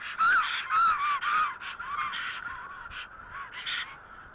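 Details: Black stork pair at their Alitaguse nest during courtship preening and mating, April 2014: three loud whistled, slightly wavering notes at the start, then softer, lower calls trailing off with a last brief louder note.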